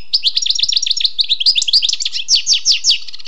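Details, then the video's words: A wild European goldfinch delivers an unbroken run of quick, liquid twittering notes, bright and tinkling, with rapid slurred chirps tumbling one after another. "Écoutez et appréciez le doux chant du chardonneret sauvage"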